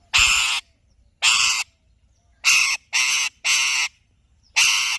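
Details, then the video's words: Six loud, harsh, honking screeches from an Alexandrine parakeet, evenly spaced, some in quick pairs. "Alexandrine Parrot Chirping Sounds"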